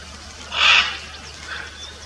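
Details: Single loud, coarse screech from a blue-and-yellow macaw observed on a bike-trail birding outing, lasting about half a second, followed by a fainter distant call and quiet ambient hiss.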